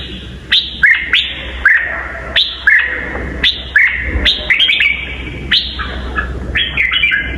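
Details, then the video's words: Red-whiskered bulbul with a very twisting voice, giving short, bright whistled phrases that sweep down and then level off, repeated about every second, over a low steady hum. "kích bổi giọng cực xoắn"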